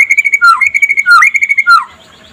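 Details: White-rumped shama in the trotol style, sung by day as a master song to make other shamas sing: three quick phrases alternating a low slurred whistle with a fast, bright trill, then quiet.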